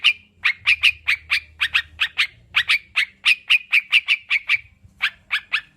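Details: Sooty-headed bulbul played to encourage kept birds to sing: crisp chirps repeated quickly in long runs, ending with a few spaced notes.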